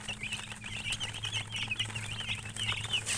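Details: Rapid, overlapping chicken chirping: thin, wobbling high peeps follow one another without a break over a faint steady hum.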